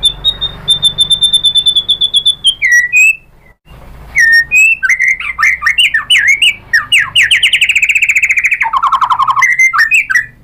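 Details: White-rumped shama song played to provoke other shamas: a long high steady trill, a brief gap, then a fast torrent of rich varied whistles, slurs and rattling repeated notes, ending in lower fluty phrases.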